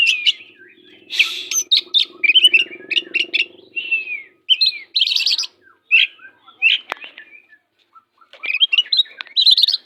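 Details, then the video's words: Fierce oriental magpie-robin kept as a song tutor for less spirited magpie-robins, singing a dense, rapid medley of whistled slurs, chirps and harsh buzzy notes with brief pauses, over a faint low hum. "Kacer pastol jahat lumayan but masteran burung Kacer kurang ngotot"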